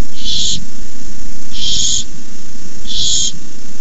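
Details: Hissing from barn owl owlets at a nest camera at night in May 2015 while an adult brings a rabbit; three rough, airy hisses spaced over a second apart above a low hum.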